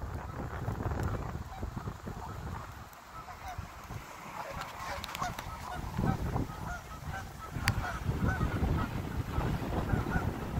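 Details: Wild Canada geese in a Canadian park in fall, a flock giving many overlapping nasal honks, repeated in quick succession, over a constant low rumble of wind and ambient noise.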